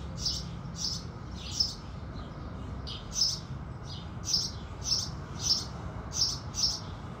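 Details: House sparrows singing with the rising sun: bright, short chirps repeated roughly twice a second in loose clusters, each a burst of high notes, over a steady low rumble of background noise.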